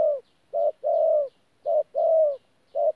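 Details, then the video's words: Thổ call blended with gù from a wild-caught spotted dove, Tu Mo Rong, 14 January 2019: clear low coos alternating short and long, the long notes smooth and sustained, repeated about twice per second. "BỔI THỔ PHA GÙ QUÁ TỐT"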